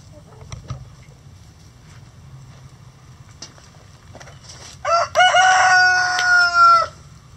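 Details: Rooster from a mixed flock of egg-laying chicken breeds, heard inside the coop. A quiet stretch with soft rustling and faint clucks leads into a loud, harmonic crow of about two seconds, wavering and then ending abruptly.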